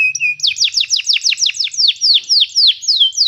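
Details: Canary song for training another canary: a brief flat whistled note, then a rapid series of high downward-sweeping notes that slow into longer falling whistles.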